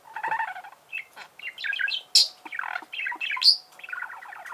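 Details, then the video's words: Chirping budgerigar delivers a dense, continuous warble of scratchy twitters, clicks and a few sharp high squeaks, barely pausing. "Чирикает волнистый попугай"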